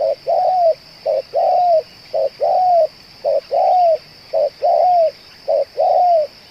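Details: A spotted dove kept as a lure bird and praised for cooing for two hours. It gives steady paired coos, a clipped note then a longer arched one, about four pairs in under seven seconds.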